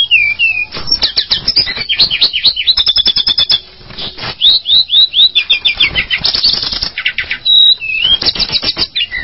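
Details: Tledekan gunung, a mountain flycatcher, chattering busily with fast repeated high chirps and down-slurred whistles in dense runs, broken by a brief quieter gap, with clicking rustles throughout.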